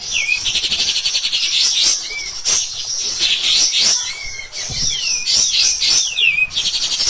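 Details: Caged pied triller on a master recording for other birds, singing a loud, harsh, nonstop song: rapid high chattering bursts interspersed with swooping downslurred whistles and short hooked notes.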